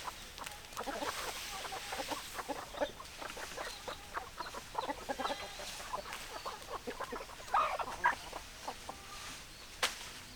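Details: Hens cluck in a busy chicken flock, with many overlapping short clucks and squawks spread through the recording and a few louder notes near the end.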